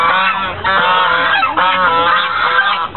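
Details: White geese on Lake Elizabeth, Fremont, California, 24 November 2013, sustaining a dense chorus of nasal, rasping honks, calls running together almost without a break.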